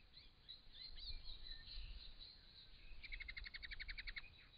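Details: Wild Crested Shrike-tit recorded by camera trap in regional Victoria, Australia; after faint high notes, a fast run of about a dozen short, evenly spaced chattering notes bursts out, over steady low background noise.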